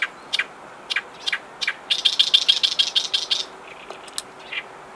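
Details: An Oriental reed warbler sings harsh, grating notes that speed into a loud chattering run, recorded on the Yodo River riverbank on 23 May 2019.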